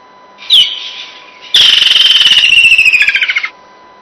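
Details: Woodland kingfisher call played back in South Africa, sounding as if laughing: one sharp introductory note, then a long rapid descending trill lasting about two seconds, with a steady electronic hum underneath.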